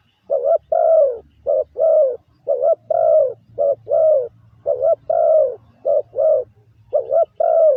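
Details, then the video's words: Spotted dove, a caged bird used as a lure, calling: repeated pairs of low hollow coos, a short clipped note followed by a longer falling coo, phrases in quick succession with brief gaps. "Tiếng chim gáy gù gọi mồi cực chuẩn"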